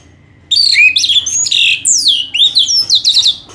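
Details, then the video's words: Orange-headed thrush, a songbird of Indonesia, delivering a long, energetic song of rich warbled and slurred whistles, sweeping phrases between high and mid pitch run together without pause. "Anis Merah GACOR Panjang"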